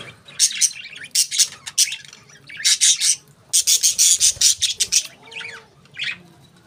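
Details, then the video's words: Budgerigars (parakeets) chirping in bright, high, scratchy bursts, several quick notes per second in groups separated by short pauses, with a few softer warbled notes near the end. "Parakeets Nice Chirping Sounds"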